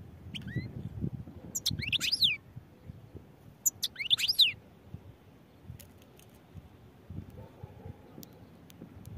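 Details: European goldfinch giving short bursts of sharp, high twittering notes and tinkling trills separated by pauses, with quiet low-pitched background noise.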